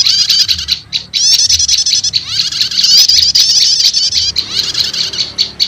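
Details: Nearly continuous high twittering trills with rising sweeps, ending in scattered chips. Prinia lure combining prenjak lumut and prenjak setater, tested to quickly bring in wild prenjak lumut.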